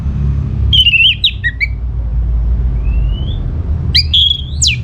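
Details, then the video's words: Orange-headed thrush song used to coax other birds into replying: wavering slurred whistles, a thin rising whistle alone in the middle, then a burst of bright, twisting notes ending in a steep upslur, low hum throughout. "Putar Kicauan ANIS MERAH Gacor Ini dijamin Pasti Ikut Nyaut"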